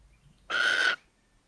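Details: A pair of Little Owls nests in a house attic at Tiszalök, Hungary, near Hortobágy National Park, on 24 April 2024, when the first egg hatched. A single harsh, hissing screech lasts about half a second.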